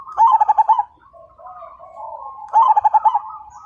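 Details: Zebra dove, a vigorous 'fighter' singer whose voice sets other birds singing: two loud bursts of rapid pulsed cooing about two seconds apart, with softer drawn-out coos from other doves between them.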